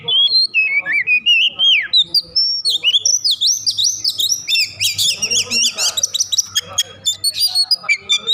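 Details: Oriental magpie-robin, agitated, singing to spur other magpie-robins into song; a fast, varied run of clear whistled phrases, sliding notes and rapid chattering trills, loud and nearly unbroken.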